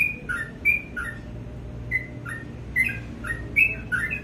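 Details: Sooty-headed bulbul in morning song, scattered whistled notes in high and low pairs, with a quiet gap in the middle before a closing cluster of phrases.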